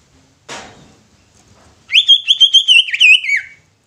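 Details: Greater green leafbird song meant to make other leafbirds sing and become agitated: after a single dull knock, a quick run of high, wavering whistles with sharp dips, about one and a half seconds long, in otherwise quiet surroundings.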